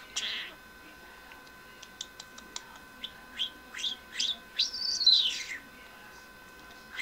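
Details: A pet budgerigar chirps in quick, bright notes, then a scratchy rising and falling warble.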